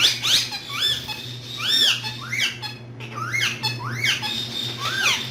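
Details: Indoor green parrots repeat loud, arching screechy squawks, each rising then dropping sharply, roughly every half second to a second, over a steady low hum.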